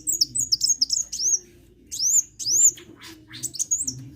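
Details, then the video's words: Vigorous sunbird song: quick series of very high, squeaky upslurred and downslurred chirps, a brief silent gap, then louder arched notes and a final chattering burst over a soft background hum. "KICAU BURUNG KOLIBRI GACOR"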